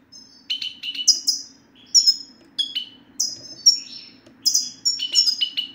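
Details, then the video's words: Goldfinch song used to prompt a quiet male to sing: a lively, fast stream of tinkling chirps and slurred high notes falling in pitch, nearly continuous over a few seconds, with a soft steady background hum. "ستستة الحسون سوف تجعل الحسون ينطق رغم عنه"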